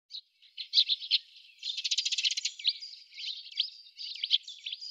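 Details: Eurasian tree sparrows at a fat-ball feeder in Budapest in December keep up a busy stream of chirps and chattering notes, with a dry rattling burst in the middle, all high-pitched and overlapping.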